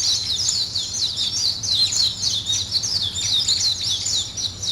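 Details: High, rapid chirps and twittering trills from several birds at morning, overlapping steadily in a busy chorus.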